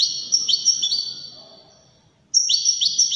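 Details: European goldfinch singing elegantly: bright, tinkling high phrases with quick downward-flicking notes and sustained ringing trills, a pause of about a second, then another fast twittering burst.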